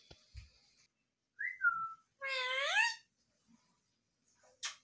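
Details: Talking pet ringneck parrot gives a brief downslurred whistle, then a drawn-out raspy, voice-like call that rises and falls, followed by a sharp click and a person's voice in a small room.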